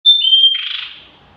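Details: Mountain flowerpecker song, a single phrase: a thin, high, steady whistle that dips slightly, then melts into a brief buzzy trill that fades out.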